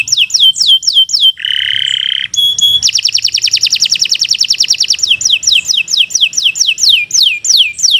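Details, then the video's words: Canary singing downslurred whistles, then a nasal buzzy section and sharp metallic chips, followed by a long rapid rolling trill that loosens back into repeated descending whistled notes. "Kicau Burung Kenari 142 II LUAR BIASA GACOR PANJANG"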